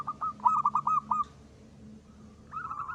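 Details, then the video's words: Local zebra dove (perkutut lokal) singing in the crisp ngristal style, used as a lure call: a rapid run of short cooing notes near one pitch, then a pause and a second cooing phrase beginning. "perkutut lokal gacor.suara ngristal ampuh buat pancingan."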